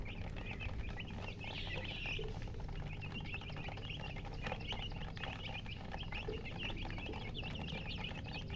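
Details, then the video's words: Just-hatched chicken chicks chirping loudly: thin, high, downward-sliding peeps repeated rapidly and continuously, partly masked by a steady low rumble and background hiss. "Tot Murgi chicks chirping sounds Just Born Baby Gallina FRACAS Chicks Piar Loudly Sound"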